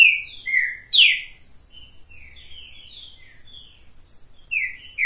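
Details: A Green-winged saltator, perched on a person's hand, sings loud, rich whistled phrases with strong bursts at the start, near one second and again near the end, and softer warbled notes between.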